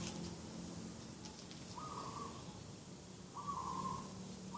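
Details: Garden-side dove on the morning of 2 October 2021 calling twice, each coo a level, slightly buzzy note lasting under a second, with soft background hum and faint distant sounds.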